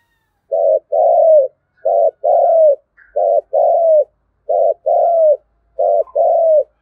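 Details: Spotted dove giving 'thúc gù' coos in the native-field voice style, used as a lure to provoke wild doves into calling: five paired phrases, each a short low coo followed by a longer falling one, about every 1.3 seconds.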